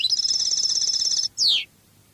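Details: European goldfinch, Cádiz-style Spanish song: a long, loud buzzy trill held on one pitch for over a second, followed by a single sweeping note sliding steeply downward.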